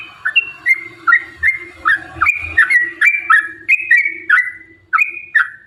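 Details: Long-ropel song of a yellow-vented bulbul used to provoke singing and fighting: a brisk string of bubbly, slurred whistled notes, each swooping up then down, repeated about twice per second, with faint low noise.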